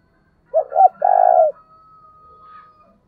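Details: Spotted dove 'thúc bổi' call for stirring a decoy bird. Two quick throaty notes lead into a rolled, purring coo. A thin, steady whistle-like tone continues faintly afterward.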